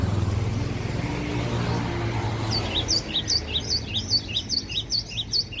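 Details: Aceh cinereous tit in full, persistent song at home: ringing, sharp two-note whistles repeated about two or three times a second after a quiet start with low background hum.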